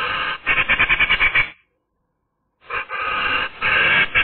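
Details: Eurasian magpie voicing on a sunny day, recorded by camera: a fast, dry rattling chatter of rapid harsh pulses, a second of silence, then a longer grating burst.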